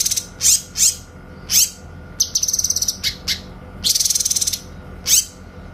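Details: Grey-cheeked bulbul master song for training magpie-robins, with clear shooting notes. Loud harsh ratcheting bursts alternate with a fast high pulsed trill, every note sharp and percussive.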